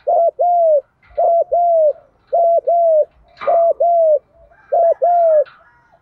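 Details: Full cooing sequence of a spotted dove, "đồng pha" voice, used to prompt other doves to answer: five rounded double-coo phrases, each a short note then a longer arched one, spaced about a second apart.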